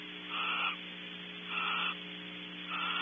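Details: Barn owls sharing an hour-long meal in a camera-watched cavity at Audubon Starr Ranch, California; three drawn-out, hoarse rasping notes, each under half a second, spaced roughly every 1.2 seconds, with constant low mechanical hum behind.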